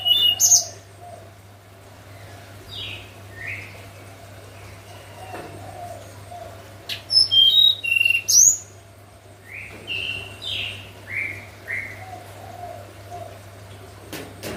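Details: Hill blue flycatcher in morning song, nyuling flute style: quick cascades of very high descending whistles around two and eight seconds, with softer mid-pitched chirps scattered between and a constant low hum behind.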